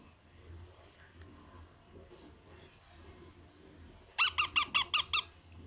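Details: Baby parrot at feeding time giving a quick burst of six harsh, squeaky begging calls near the end, after a long quiet stretch with low indoor hum.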